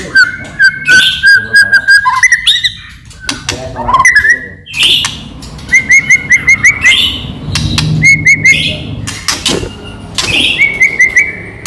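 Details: White-rumped shama singing a lure song meant to draw other shamas into song: bright whistled notes repeated in short runs, mixed with loud sharp clicking chatter and brief harsh bursts.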